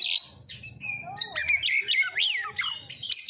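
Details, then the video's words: Kacer (oriental magpie-robin) singing a pancingan lure song: high, clear whistles followed by a looping, warbled phrase of rising and falling slurs, with faint music in the background. "Pancingan Kacer langsung auto gacorr"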